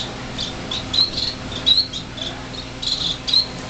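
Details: Young finches just out of the nest in a greenhouse, January 2007, six birds that can fly a little: scattered high thin chirps, some in quick pairs, with a quiet background hum.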